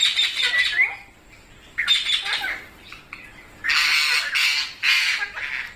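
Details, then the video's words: Parrot giving raspy, high squawks, first a few shorter calls, then long, loud, grating screeches lasting about a second each near the end. "Funny Parrot Sounds"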